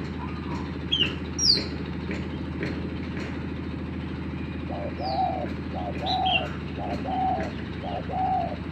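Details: Spotted dove, a lure bird set against a newly trained bird. It gives arched, hollow coos at about one per second in the second half, after brief high chirps from other birds, over a steady low hum.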